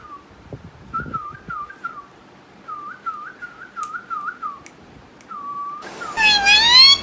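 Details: A friendly green pet rose-ringed parakeet (Psittacula krameri) whistles a run of clear, mid-pitched notes with quick upward flicks, several per second, ending in a harsher, rising, buzzy phrase.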